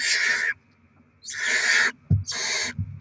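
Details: Rodent deliveries to feed young barn owls, recorded 7 February 2024: three loud rasping hisses of about half a second, spaced roughly a second apart, with soft thumps and scuffling between them.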